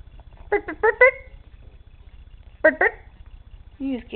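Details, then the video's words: Pet male Quaker parrot indoors, acting silly and shy near its toy, sending out short bursts of quick, harmonic syllables in two clusters with a pause between, then a lower drawn-out note; a person talks to the bird nearby. "Quaker Parrot talking and being silly"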